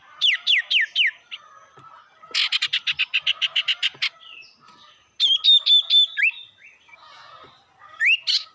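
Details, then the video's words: Sirtu lure song to stir up rival birds: fast downslurred whistles, a long rapid series of clipped buzzy pulses, then high stuttering notes and a final rising whistle. "pancingan burung sirtu bikin emosi lawan"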